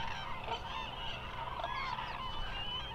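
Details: Migrating Eurasian cranes at the Hula Nature Reserve in Israel fill the air with a thick, unbroken chorus of many overlapping trumpeting and honking calls.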